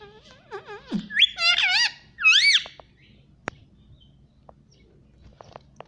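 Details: Pet ring-necked parrot gives a rapid run of squeaky, warbling chirps and upswept whistles for about two seconds, then only soft clicks over a low background hum.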